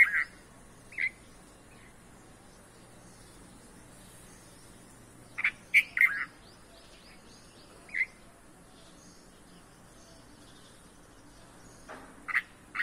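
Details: Red-vented bulbuls feeding their hungry chicks in a home garden give brief, sharp chirps, singly or in quick pairs, at irregular intervals against a quiet background.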